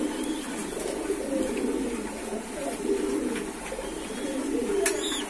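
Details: Domestic pigeons kept by a hobbyist give soft, low, rolling coos that repeat at irregular intervals beneath a steady hiss, with a brief sharp click near the end.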